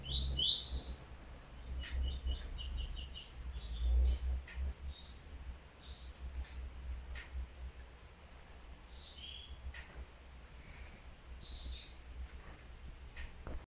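A Bahia Seedeater sings a run of high, sweet whistled and chipping notes, some slurred and some in quick clusters, with brief pauses; low hum underneath.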